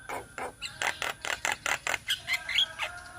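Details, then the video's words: A group of young Indonesian black-winged mynas giving a run of harsh, evenly spaced chak notes, followed by thin high squeaks. "Masteran Jalak Kebo Bahan - Jalak Kebo Ombyokan - Kicauan Burung Jalak Kebo Indonesia"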